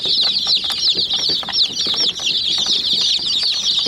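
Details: Hen chicks pecking at a miniature white toy jeep, their shrill peeps overlapping into a steady twittering chorus with frequent sharp tapping sounds.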